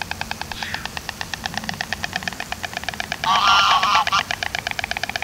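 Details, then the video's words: White storks in Gelderland, Netherlands, September 2023, some hidden behind bushes, clatter their bills in a rapid, dry wooden rattle of about seven knocks a second, with a louder, harsher burst of clattering midway. "Klepperende Ooievaars (bill clattering storks)"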